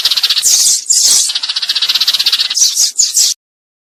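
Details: Sparrow chatter used as a trapping lure: harsh, rasping bursts alternate with fast runs of repeated high chirps, ending abruptly in silence.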